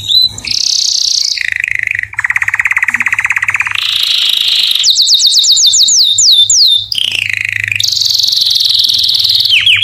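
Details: Male-style courtship song of a canary, aimed at attracting females: varied tours of buzzy rolls, fast pulsed rattles, a run of sweeping down-slurred notes and high ringing trills, sung continuously.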